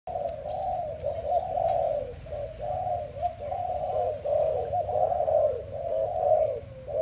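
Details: In the morning, a dove coos steadily in soft, low, hollow phrases that swell and fade about once a second, with a faint hiss in the background.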